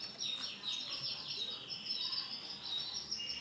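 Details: Male canary, Starblue colour form, singing a continuous, dense run of high twittering notes laced with quick downward slurs, a steady warbling stream that barely pauses.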